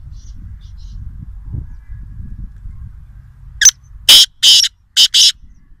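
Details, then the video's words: Wild black francolin near Nawabshah, Pakistan, giving a loud, harsh, rasping call of five grating notes. The notes come quickly in a broken rhythm after a quiet start with low rumbling background noise. "Kala Teeter Wild (Voice Only) | Black Francolin | Black Partridge"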